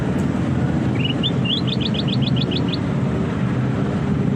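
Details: Sooty-headed bulbul singing: a few short rising notes lead into a quick run of about eight bright, repeated two-part notes over under two seconds, above a steady low rumble of traffic.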